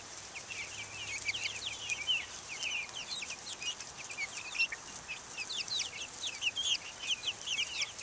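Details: Outdoor chicks, Buff Orpington, Black Australorp and Americana, recorded in 2010, keeping up a busy stream of piercing short peeps, sliding notes tumbling over one another from many birds, with a low hum early on.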